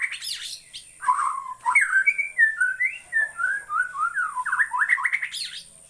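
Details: White-rumped shama (murai) from Borneo singing a varied run of clear whistled notes that jump up and down, with fast slurred flourishes at the start and end and a steady high hiss behind.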